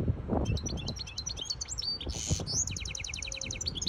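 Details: Singing hybrid goldfinch, performing to tutor fledglings and stimulate a female goldfinch to take the mating position; rapid chattering twitters, a brief buzzy rasp, then an evenly repeated run of quick notes.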